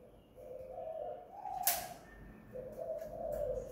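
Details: Spotted dove (tekukur) cooing at home in the kuk / guk gantung lure style. Two soft, low coo phrases come through a hissy background, with a sharp click between them.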